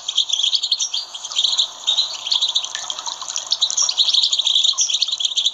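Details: European goldfinch song used to stimulate captive goldfinches: continuous loud, rich twittering and tinkling trills, rapid and varied, with scarcely a pause.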